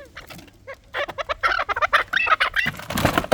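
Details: Chukar partridge, a Dulani fighting bird: a dense burst of rapid, grating clucks after a quiet start, ending in a rustling, noisy scuffle.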